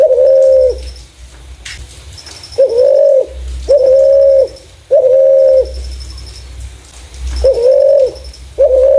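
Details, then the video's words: Spotted dove calling in a clear voice used as a lure for other doves: low flat coos at irregular spacing, including one long pause, accompanied by faint, evenly spaced high ticks. "Burung Terkukur // Suara jernih cocok untuk pancingan"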